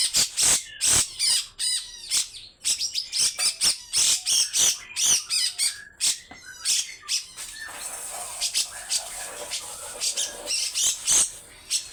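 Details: Grey-cheeked bulbul singing long rough phrases that stir other birds: rapid harsh chatter and scratchy notes in quick succession, then a denser, hissing stretch of continuous buzzy twittering.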